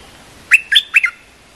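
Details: Single quick phrase from a cream-vented bulbul training song for young birds, three bright chirping notes in under a second, clean background.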